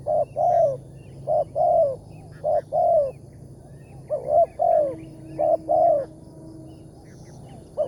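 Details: Spotted dove, the big-voiced wild target of a morning bird-trapping session. It gives repeated coo pairs, a clipped note then a longer descending one, with a faint steady tone in the background.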